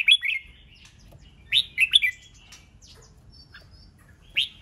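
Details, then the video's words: Red-whiskered bulbul 'ché nẹt' chatter, used to rouse rival birds to sing and compete. Short paired whistled bursts come at the start, a louder triple burst follows, and a final sharp note ends after long pauses. "Chào mào CHÉ NẸT CỰC SUNG kích bổi căng lửa nhanh ché/ âm kích nghe là đấu,nghe hót,sổ bọng căng lửa"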